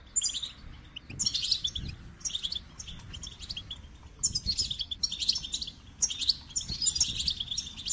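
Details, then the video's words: Goldfinch singing in quick, high-pitched bursts of tinkling twitters and scratchy trills, each burst lasting one to two seconds with short gaps between, soft low rumble beneath. "The Captivating Call of Goldfinches"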